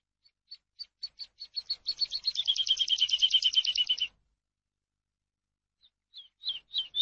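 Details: Eurasian skylark singing, for use in teaching captive birds: sparse high chirps quicken into a thick, fast, buzzy trill lasting about two seconds, then silence before a few sliding notes return.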